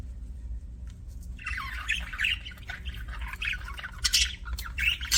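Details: Budgerigars in a happy mood chattering, a continuous run of warbled chirps and short squawks that grows livelier toward the end, low background rumble underneath.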